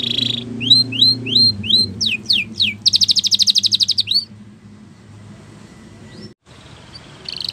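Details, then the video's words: Spanish Timbrado canary training song: rising whistled notes and falling sweeps lead into a dense, buzzy rolling trill, followed by near quiet with only faint notes. "The Best Spanish Timbrado Song For Training Your canary !! Make Your Canary Singing Again"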